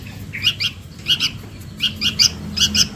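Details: Sooty-headed bulbul chick calling to its parent as a lure: brief bright chirps given in close pairs, each pair about half a second apart, with faint low rumble behind.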